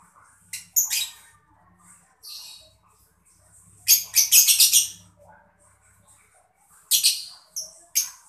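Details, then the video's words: Mocca lovebird chirping to prompt other birds to sing. Scattered sharp chirps lead to a rapid stuttering burst of around eight grating notes, then a few more buzzy chirps. "lovebird mocca gemericik cocok buat mancing burung biar gacor"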